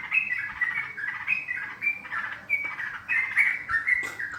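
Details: Sooty-headed bulbul recorded as a lure for trapping: continuous bubbling whistled phrases, bright slurred notes rising and falling in quick succession, with brief rough notes between them.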